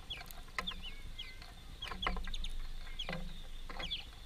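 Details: Greenfinch family feeding at a workplace: high, thin downslurred calls and a few short twittering notes, with scattered clicks and a faint low hum behind.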